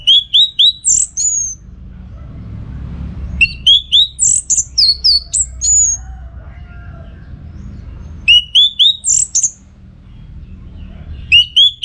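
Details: Orange-headed thrush singing energetically as training material for contest birds: three bursts of loud, clear whistled phrases, high upslurred notes and quick sweeping trills, separated by short pauses over a low background rumble.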